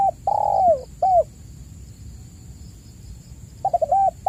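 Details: Spotted dove lure recording to get caged doves calling: the end of one phrase, a long downward-sliding coo and a short coo, then after a pause the stuttering opening notes of the next phrase, over a faint steady whine.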